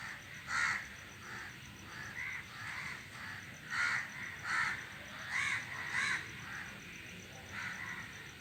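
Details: A flock of crows sitting in a tree, making noise; harsh caws come in bursts of one to three, loud and spaced irregularly across the stretch, over a faint steady background hiss.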